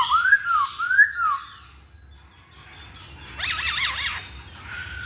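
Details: Masked laughingthrush used as a lure song: loud undulating whistles that climb and dip twice, a quiet pause, then a burst of rapid, wobbling whistled notes.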